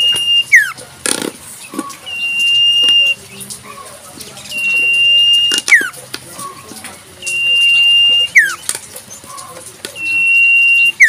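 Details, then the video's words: Wild common iora singing a long, level, high whistle that ends in a quick falling note, repeated about every three seconds, with a few faint background chirps. "Burung Sirtu cipoh full suara asli Alam"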